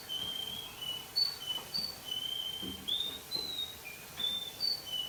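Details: Young male Russian canary singing in the evening: thin, pure whistled notes, each held briefly and stepping between middle and high pitches, with short pauses between them over faint room noise.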